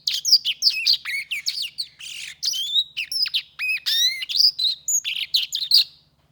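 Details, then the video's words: A black-throated canary sings a lively, varied warble of sharp high chirps, down-slurred whistles and a short buzzy rattle, notes tumbling quickly one after another before stopping at the end; faint low hum underneath. "黑喉硯Black-throated canary"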